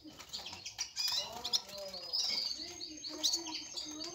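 Red-fronted serin giving quick, thin twittering notes and high buzzy trills, with chirps running together in rapid bursts; other small birds may be mixed in.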